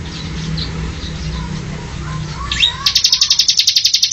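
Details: Bar-winged prinia song used as a training recording for cage birds: after a stretch of low hum and faint background sounds, a burst of rapid, high, sharp chirped notes repeated in quick even succession.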